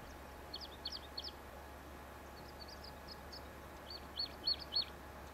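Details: A pine grosbeak, one of a pair at a nest in elfin pine forest on Sakhalin island, sings three short bursts of high, sweet chirping notes, the last the loudest, over a steady low hum.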